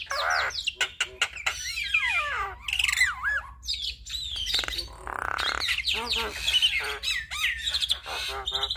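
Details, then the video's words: Javan myna pouring out full, varied song as a tutor for other starlings: squawks, rapid rattles, sweeping whistles and grating chatter, nearly continuous throughout. "Jalak Kebo Gacor Full Isian Masteran Dan Pancingan Semua Jenis Burung Jalak"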